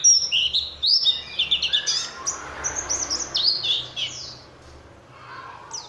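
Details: Oriental white-eye song played as a lure so other white-eyes reply: rapid high chirps and trills at first, thinning to scattered faint notes over a soft hiss.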